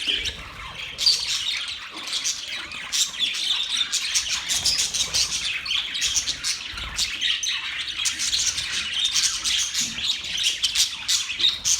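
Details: A flock of happy budgerigars keeps up a long, busy chorus of rapid chirps, squeaks and buzzy warbles, with dense clicking pulses throughout.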